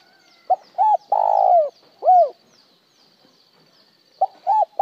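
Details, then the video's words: Spotted dove cooing in the one-broken-tail-note style: a short note, a double-humped note, a long loud descending coo, then one arched note, with the phrase beginning again after a pause. "Tiếng chim cu gáy gọi một hậu lỡ , lúc một hậu lúc trơn"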